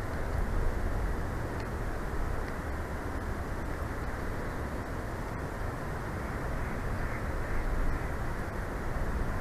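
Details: A constant low roar, like wind or distant machinery, runs throughout with no bird or other animal sound.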